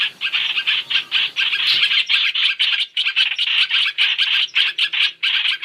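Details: Chinese hwamei calls for a trapping lure: loud chattering bursts in a regular pulse, each burst short and harsh, separated by brief silences.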